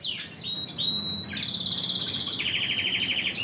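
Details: Intense red canary hen trained in Spanish Timbrado singing: a thin steady whistle, then a rapid metallic rolling trill that drops to a lower pulsing roll, continuous and clear.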